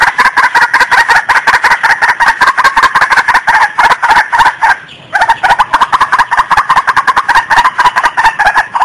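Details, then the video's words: White-breasted waterhen call used as a lure for trapping: a loud, harsh, croaking chorus of rapid repeated notes that runs without pause, breaks off briefly at about five seconds, then resumes just as dense and insistent. "SUARA PEMANGGIL PIKAT BURUNG RUAK RUAK"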